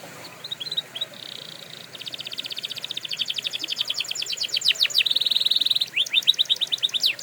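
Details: A canary sings in a recording meant for training canaries: soft scattered notes, a steady whistled tone, a long accelerating rolling trill, another held whistle, then sweeping slurred notes.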